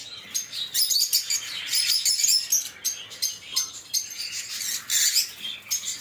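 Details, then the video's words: Lovebird singing and chirping: shrill high twittering in repeated bursts about every second, scratchy and squeaky throughout. "LoveBird Singing & Chirping Sounds"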